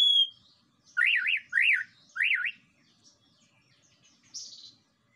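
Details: White-rumped shama lure song meant to provoke other birds, with three loud looping whistled notes in quick succession, each rising and falling, then a short harsh burst after a pause.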